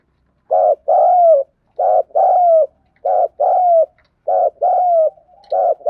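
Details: Spotted dove in 'thúc gù' cooing style. Low, rolling two-part coos, a short note then a drawn-out descending one, repeated about every 1.2 seconds, five times in a row.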